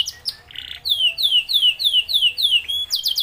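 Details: Singing F1YS canary: after a couple of short chips and a harsh buzzy burst, a series of clear, high, falling whistled notes repeats roughly four times per second, ending with quick sharp upward notes.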